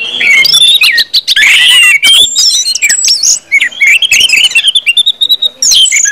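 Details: Orange-headed thrush in 'ngeplong' full song, played to get other birds singing fast: a varied run of sweet slurred whistles broken by rasping bursts and sharp chips, delivered rapidly and loudly.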